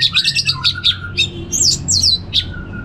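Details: Orange-headed thrush giving ngeplong song: a dense, loud burst of sharp high chirps and twisting whistled notes, some rasping, packed closely together, with a faint lower whistle and low background hum.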